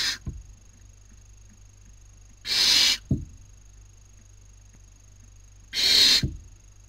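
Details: Barn owl owlets at a nest webcam in Cabañeros National Park, Castilla-La Mancha, Spain, during the 2019 breeding season, as one owlet takes a sister's dinner. Two loud, harsh, breathy hisses, each about half a second long and three seconds apart, with soft thumps in between.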